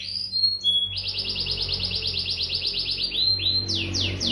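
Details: Agitated canary in full song: a short whistled note, then a long rapid trill of identical chirps, ending in a few slower, louder falling sweeps, with a low background hum.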